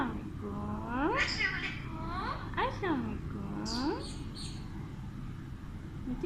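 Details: Pet Alexandrine parakeet indoors, with a 5-month-old baby nearby, giving several slurred harmonic squawks and rising whistled sounds amid greetings, with room noise and a person talking.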